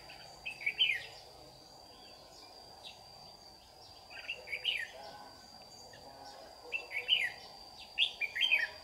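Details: Competitive morning song from a Red-whiskered bulbul lure bird at a trapping site in Đồng Nai, Vietnam, 26 June 2019; clusters of sharp twisting whistled notes every few seconds, steady high whine throughout.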